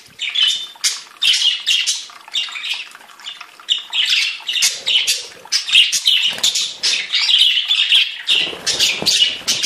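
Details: Various budgerigars singing in chorus, fast chattering warble of clicks, squeaks and short whistles, pulsing steadily and getting denser near the end.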